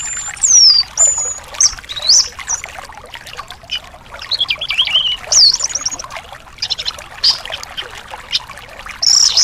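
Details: Thrush song for a caged bird that has stopped singing: scattered, sharply descending whistles and clear, ringing notes separated by short gaps, with a faint wash of background noise.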